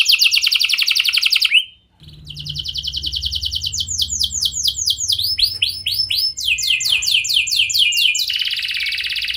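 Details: Canary lure song used to get other canaries to respond: an intense rapid trill, a brief break, then repeated arched whistles and buzzy rattles over a low background hum.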